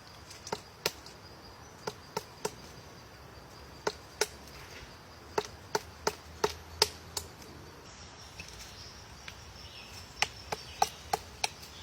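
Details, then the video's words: Woodpecker hammering on a tree with loose, uneven series of hard single knocks, sometimes in quick clusters, sometimes spaced by a second or more, against a soft continuous high hum. "woodpecker cutting a tree"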